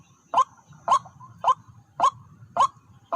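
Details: ['White-breasted waterhen at a decoy site where two birds arrived; crisp rising calls repeat about every half second in a regular rhythm, each trailing into a short tone, over faint low background noise.']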